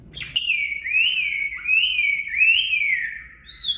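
A Chinese hwamei sings a continuous, loud run of clear whistles that slur up and down in wavy, rolling phrases, with nothing else heard.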